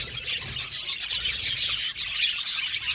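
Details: Budgerigars in an aviary colony, described as happy, chirping together: a dense, continuous wash of high twittering and warbling notes with scattered brighter squeaks, no pauses throughout.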